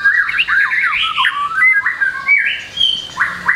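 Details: White-rumped shama tutor song packed with varied phrases, used to get young birds singing fast: loud, rich slurred whistles that rise and fall, with a few harsher squawky notes, flowing without pause.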